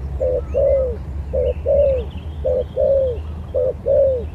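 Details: Spotted dove singing in a lure skill competition: paired coos, a short flat note then a longer one that slides downward, repeated four times evenly; faint chirps from other birds above.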